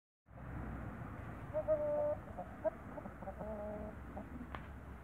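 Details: Young Brahma roosters in a backyard; short squawky tonal notes and one drawn-out strained note, followed by broken clucking fragments and a sharp click, over constant low rumbling background noise.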